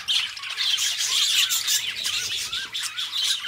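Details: Two pet budgerigars, best friends, chatter in a continuous busy warble of quick squeaky notes, chirps and scratchy trills, overlapping throughout.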